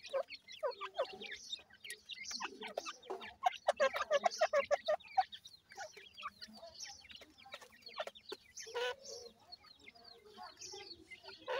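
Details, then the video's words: Ring-necked pheasant chicks being fed in captivity give many thin, rapid cheeping peeps, some rising and falling, packed densely together, mixed with sharp pecking clicks and faint human speech. "ringneck pheasant chicks feeding"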